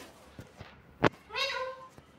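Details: Pet talking galah cockatoo gives one drawn-out, nasal, speech-like syllable that rises slightly then holds steady, after a sharp knock, amid Bengali speech prompting it to talk.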